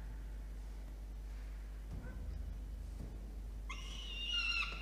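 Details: Peregrine falcon chick begging for food brought by the adult male, nest box on a water tower, Orange, NSW, Australia, night of 5 November 2021; mostly quiet, then a sudden loud, harmonic, grating scream at the end.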